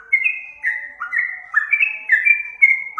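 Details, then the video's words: Yellow-vented bulbul song played to lure birds: a quick chain of clear whistled notes, each a short upward slur then held level, stepping up and down in pitch with hardly a pause between them. "pikat burung trucukan suara merdu"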